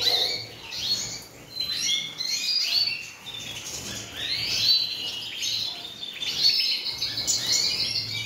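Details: Song of a collera of European goldfinches: quick tinkling chirps and twittering runs, high and sweet, swelling into denser trilled passages toward the end.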